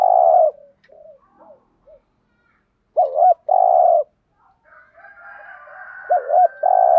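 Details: Spotted dove cooing in the thúc gù style, with a giọng thổ voice: low, hollow coos given in bursts, a short wavering double note, then a long steady coo, with faint softer notes and background hum between.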